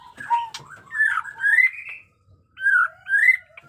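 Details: White-rumped shama of the jenggot dewa type, a fighter in new-feather condition, singing batuk koral and muntah beling styles: rich whistled phrases sliding upward, varied warbling, a short silent gap, then two more rising whistles.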